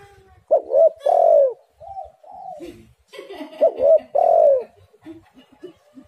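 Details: Lure call of a spotted dove meant to prompt other doves to sing: two loud phrases of short rising coos ending in a long swelling coo, with fainter cooing from other doves in between.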